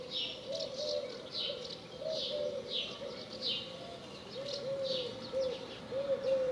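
A dove gives soft, low coos about once a second, repeated steadily, while other small birds chirp higher and brighter above it.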